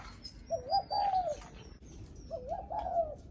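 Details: Spotted dove cooing to greet visitors to the house: two gurgling, wavering coo phrases in the low-mid range, each about a second long, over a soft hiss of background noise with faint high bird chirps.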